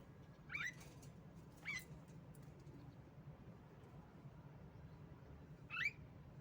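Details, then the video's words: Lure recording of a female Javan myna: three short, rasping, rising notes, two close together and one after a four-second pause, set against a low background hum. "pancingan jalak kebo Macet Bunyi"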